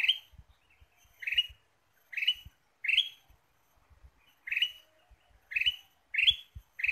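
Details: Lively lure sound of a Ruby-throated bulbul, played to draw birds in. About nine sharp, upward-sweeping chirps fall in an uneven rhythm over seven seconds, some doubled, with faint soft ticks and a low background thump.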